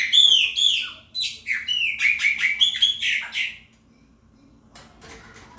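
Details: Chopi blackbird, called pássaro preto 'preta fumaça', singing to mark its territory. A quick run of loud, clear whistled notes and slurred phrases, rising and falling, lasts about three and a half seconds before going quiet.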